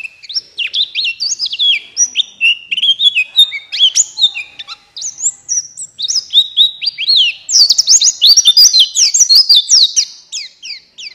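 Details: Pleci buxtoni white-eye lure song used to stir lazy birds into singing: a fast, continuous stream of high twittering and chirping notes, jumping and sliding in pitch, growing denser and brighter toward the end.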